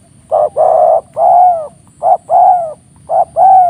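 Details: A wild spotted dove on the Labu coast, heard around 7 am while being lured for trapping, coos in a low, hollow phrase: a short note then a longer drawn-out one, repeated in three pairs with slightly falling pitch.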